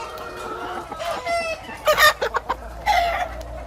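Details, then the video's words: Hen clucking and cackling in the coop of a chicken farm: a few harmonic, nasal clucks, then a louder burst of sharp cackles near the middle and another drawn-out cackle at the end, over a low background hum. "Som da Galinha - Galinha Cacarejando - [Chicken Noise]"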